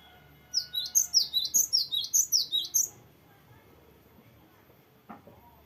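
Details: Cinereous tit known locally as gelatik batu, in a long varied roll: a rapid burst of about twelve piercing, high, falling two-part whistles, then quiet with a soft click and a low knock.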